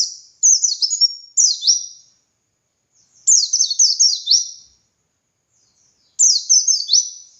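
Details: White-eye (dakun) singing gacor ngalas song as a tutor recording for other white-eyes: three fast-tumbling phrases of shrill downslurred whistles, each lasting about a second, separated by pauses of a second or more.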